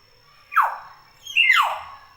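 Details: Common hill myna giving two loud squealing calls about a second apart, each a sharp note sweeping steeply downward, in a quiet indoor space.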